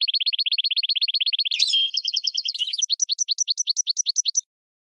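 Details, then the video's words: A goldfinch × red canary hybrid, used as a tutor song for training birds, sings high, rapid canary-style rolls that shift into a buzzy phrase, then a slower series of bright, sweeping notes; finding: Goldfinch × canary hybrid. "GOLDFINCH x RED CANARY (Hybrid Bird) The Best Teacher for Training"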